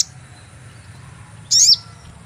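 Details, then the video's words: Single shrill, high-pitched chirp with a falling sweep from a sogon bird, a trapping lure sound, after a brief note at the start and over faint low background noise. "cuit cuit pancingan burung sogon"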